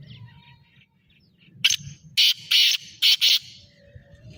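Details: Kala teetar, the black francolin, delivers a harsh rasping phrase: one clipped opening note, then four loud scratchy bursts grouped in two pairs, with faint low background noise throughout.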